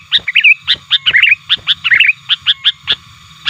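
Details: Lure recording of a sooty-headed bulbul aggressively calling at rivals. Abrupt notes repeat roughly every quarter second, mixed with short bubbling twitter phrases.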